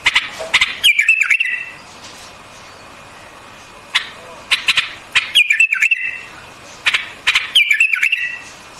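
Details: Short bursts of warbled notes from a white-eared bulbul, each phrase opening with a crisp click and sliding into a brief wavering whistle, separated by quiet gaps of a second or two.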